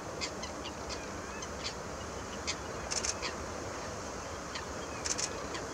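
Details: Randy garganeys at Landje van Geijsel, Netherlands, on 24 April 2017 give brief, dry crackling rattles, singly and in quick double bursts, over a steady wash of wind-like background noise.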